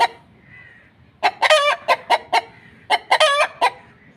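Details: Egg-laying hen gives two cackling bursts after a second of near quiet. Quick staccato clucks build to a long, harsh, rising note, then a final short cluck.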